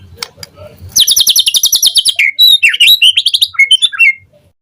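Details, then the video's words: White-rumped shama morning lure recording with full fill-in phrases, meant to prompt other shamas to respond: a fast, buzzy, high rattle of repeated notes, then clear whistled slurs and short rising and falling phrases. "Pancingan Murai Batu PAGI HARI EFEKTIF Bikin NYAUT RESPON Suara Burung Murai Jadi Gacor Full Isian"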